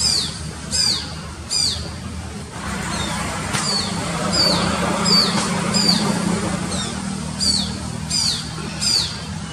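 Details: A Shikra calls from a high tree beside a busy road in Mysore, giving sharp, high, downslurred notes repeated about once a second over steady rushing traffic and a low hum, recorded on a mobile phone.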